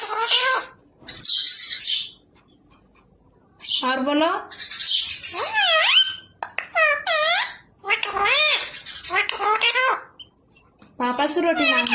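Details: Pet parrot mimicking human speech indoors, prompted to ask for roti and to say radhe radhe and sita ram: slurred, word-like phrases alternating with a person's coaxing voice, with short gaps between them.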